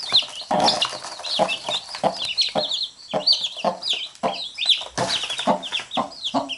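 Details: Mother hen with her chicks; she picks the chicks up whenever they bite her. Dense high chick peeps chirp throughout, with low soft clucking from the hen in short bursts about every half second.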